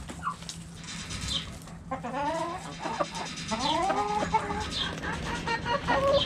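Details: Backyard hens clucking, a brief pause giving way to layered, wavering drawn-out clucks and a few higher chirps.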